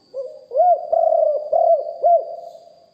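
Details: Spotted dove decoy with a deep voice, live recording in lio hoi style: a single phrase of a soft lead note followed by four low, rounded coos, the middle two drawn out, under a faint steady hum.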